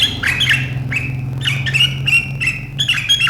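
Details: Sooty-headed bulbul giving sharp riwikan chattering, a style said to set rivals chattering too, recorded 7 April 2023; quick harsh notes and short slurred phrases, bunched irregularly, over a steady low hum.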